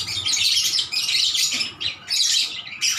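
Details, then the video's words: Chattering lovebirds calling back and forth: rapid high, scratchy chirps and sharp squeaks in tight bursts about half a second long, broken by short dips, over a faint low hum. "LOVE BIRD GACOR MERDU"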